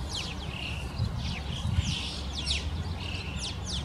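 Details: A large winter flock of Alpine choughs (Pyrrhocorax graculus), down from the mountains in a town, gives shrill, rippling whistled chirps that sweep up and down and overlap continuously, over a steady low rumble of wind or handling noise.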